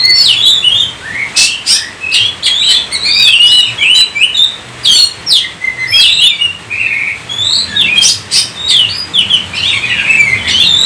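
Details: Chattering 'gacor' song of an Oriental magpie-robin: fast varied phrases of whistles, slurs and scratchy squawks, delivered in loud bursts with brief pauses, used to prompt other magpie-robins to sing.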